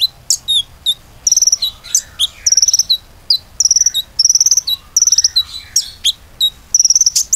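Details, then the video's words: Lure recording of a common iora in full song for getting other birds to sing: clusters of rapid, high stuttering notes alternating with single chirps, plus faint lower sliding whistles behind them. "PANCINGAN KONIN GACOR AMPUH‼beneran bisa gacor"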